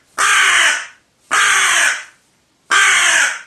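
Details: Crow reacting angrily to wild bird feathers being shown to it, giving three loud, harsh, raspy caws, each lasting about half a second to a second, spaced roughly one and a half seconds apart.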